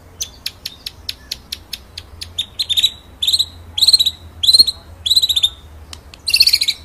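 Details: White-rumped shama singing ngerol nembak for masteran: a steady series of dry clicks that speeds up and builds into loud, repeated, rising high warbled phrases, ending in a dense burst of high twitter.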